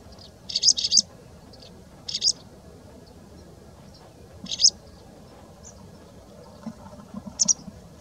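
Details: White wagtail recorded in February 2019 at Mishmar HaEmek, Israel. Short, sharp high chirps, alone or in quick pairs, several times over a few seconds, above a steady low background rumble.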